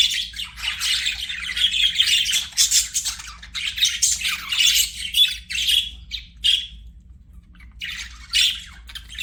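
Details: Budgerigars singing while playing, an almost continuous buzzy, chattering warble of rapid squeaks and raspy notes, with a few clear whistled notes and short pauses toward the end.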